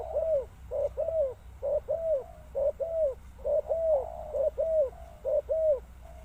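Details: Spotted dove calling: soft paired coos, each a low hooting note followed by a longer falling croon, repeated steadily about once a second in a quiet setting with faint low background hum.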